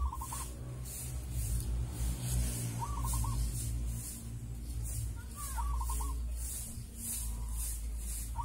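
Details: Local wild zebra dove cooing toward dusk, before the evening prayer: soft trilled, bubbling coos repeated about every three seconds, three phrases, over a strong low rumbling hum and steady high-pitched pulsing insect-like hiss.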